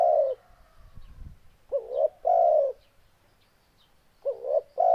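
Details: Spotted dove song with the end of one coo, a brief low rustle, then two full phrases of a rising wavering note followed by a long steady coo.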